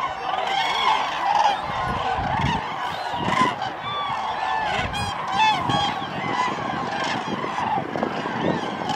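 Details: Large gathering of common cranes at Lake Hornborga, a continuous din of bugling, rattling calls from many birds at once, rising and falling in loudness.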